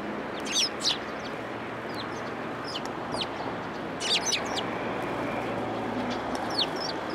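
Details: Sparrows arriving at a post to be fed at a Tenmangu shrine on 1 February 2023, giving quick clusters of high, thin chirps in short bursts separated by pauses, over a constant low rumble.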